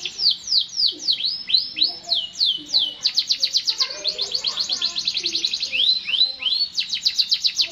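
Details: Canary song with a string of bright downward-swooping whistles, then long, rapid high trills changing speed, and a few rising slurs near the end. Faint low sounds are in the background.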